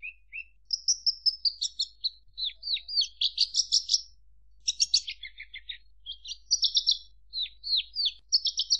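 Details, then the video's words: Javan bush lark singing a lively, varied stream of high whistled notes, quick down-slurred chirps and short rattling trills, delivered almost without pause against a clean, quiet background. "Suara Kicau Burung Branjangan"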